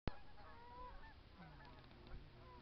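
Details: Snow goose in Michigan: a few faint, nasal honks with slightly bending pitch, overlapping one another in the first second, then softer calls, all over a steady low rumble and a sharp knock at the start.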